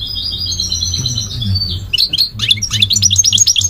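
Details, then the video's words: A goldfinch sings, starting with thin, drawn-out high whistles, then switching to a lively run of sharp chirps and twitters that climbs in pace, over a faint low hum. "The elegant migratory goldfinch sings the most beautiful singing"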